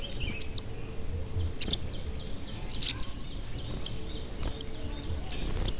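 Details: Sogon singing as a lure to stir other sogon into song and excitement: sharp, very high 'cuit cuit' chirps scattered irregularly, with a quick burst of several notes near the middle and a low background rumble.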